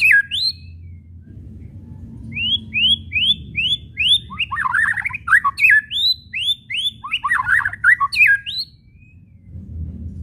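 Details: White-rumped shama whistling and chattering, the kretekan used to stir shamas into singing: a run of upslurred whistles followed by dense harsh chattering bursts mixed with more upslurs.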